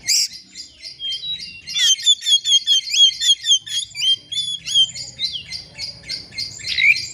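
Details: Oriental magpie-robin seeking a rival, used as lure song: a steady series of rapid, evenly pulsed whistled phrases and high chips, about two per second, closing with a rising squeal.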